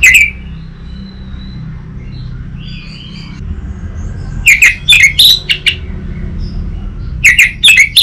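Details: Orange-headed thrush song for luring and tutoring other birds: after a short opening chirp, two separated runs of fast, varied whistled and chattering notes, with soft background noise between.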